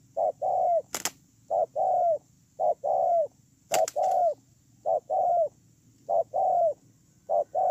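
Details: Spotted dove kept as a ground decoy, dated 8/10/2018, cooing in a long regular series of paired notes, short then long and falling, about one phrase per second, interrupted twice by sharp knocking clicks.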